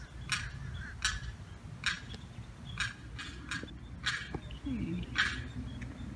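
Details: Little limpkin wandering alone, separated by a fence from its mother and sibling, calling in distress on July 4th; seven sharp, high rasping cries at irregular spacing, with brief faint low sounds nearby.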